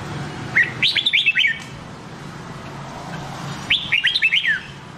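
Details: Red-whiskered bulbul song of the Nam Đông type, played to train white-cheeked bulbuls: two matching phrases of six or so sharp, descending whistled notes about three seconds apart, with quiet background hum between them.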